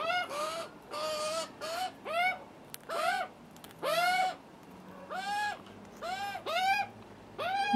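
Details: Screaming hungry juvenile Australian magpies begging for food during their first visit, with the nervy adult male present; a rapid, steady series of about a dozen hoarse, arched squalls, some overlapping, with faint background hum.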